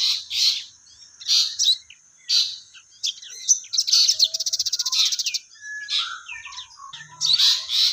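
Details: Crested jay (sogon) in full voice: loud harsh bursts and chirps, then a rapid, even rattle of high pulses around the middle, and more harsh notes after.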